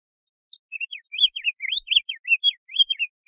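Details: Song of a diademed tanager, a quick steady string of sharp whistled slurs, some rising and some falling, delivered at about two notes per second over a quiet background.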